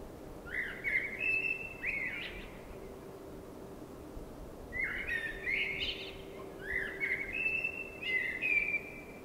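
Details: A common blackbird sings at night in spring, three rich, fluting phrases, each about a second long, rising into warbled notes, with pauses between them and a low steady hum underneath.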